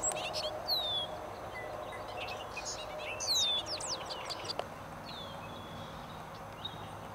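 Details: Bobolink song in meadows, a bubbly, tinkling jumble of high metallic notes given in quick bursts, with separate slurred whistles between them over a steady low background hum.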